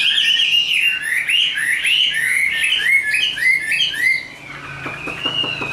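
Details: Chinese hwamei in song, quick chains of slurred whistles repeated several times a second, easing into a softer sustained note as muffled talking begins.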